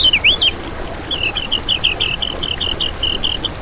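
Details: A single swooping note opens this lemon-bellied white-eye lure recording, then a brisk, evenly paced string of high, doubled chirps runs to the end.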